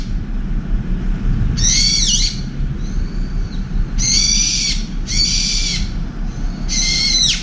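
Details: Furious brown-eared bulbul screeching at an oriental turtle dove to chase it from a window feeder; four piercing, raspy squeals in uneven rhythm with a fainter thin note between, low background hum.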